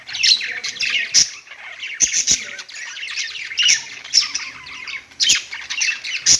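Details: Perched budgerigars chattering continuously, a rough mix of squawky chirps, rapid twittering and crisp clicks, loud bursts returning roughly every second.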